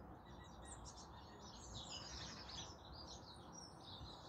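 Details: Melodic Song Thrush song at dawn in a very small urban garden, the bird perched in bordering ash trees; rapid, bright, high notes run continuously in overlapping phrases above constant low-pitched background noise.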